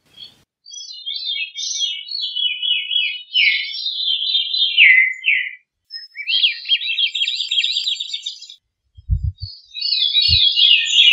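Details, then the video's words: Veery giving several flute-like phrases that spiral downward, followed by a fast buzzy trill and another high descending phrase; faint low thumps underneath. "Veery Bird Song, Sound, Call, Chirp, Melody - Zorzalito Rojizo Canto - Catharus Fuscescens"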